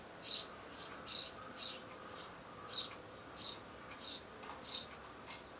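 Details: Eurasian tree sparrow chicks in a nest being fed and tended by their parents, probably a few hours before fledging, early morning of 12 May 2012; shrill, high chirp bursts repeat about eight times, roughly every 0.6 seconds, over faint background hiss.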